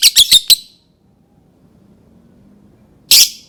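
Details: Lovebird calls used to coax other lovebirds into song: four quick, harsh, shrill chirps in a tight burst, then a pause of over two seconds before one more loud, raspy squawk.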